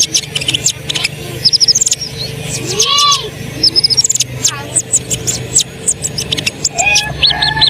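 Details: Asian pied starling singing to stir other birds into song: mixed high chirps and clicks, with rising and falling slurred whistles and quick squeaky bursts over a soft low hum.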